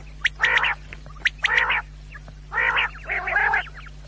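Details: Quail call for hunters: rasping, buzzy notes about once per second, a double call near the end, with short sharp ticks between them and a low hum throughout.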